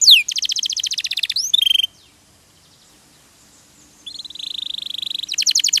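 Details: Canary (kenari) song used as a training recording for songbirds: rapid trilled phrases of fast repeated high notes, a steep descending sweep, a pause of about two seconds, then buzzy rolling trills resume.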